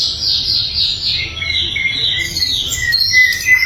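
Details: Training recording of a flycatcher known as sikatan londo: a run of high buzzy notes stepping gradually downward, then short sharp chirps toward the end.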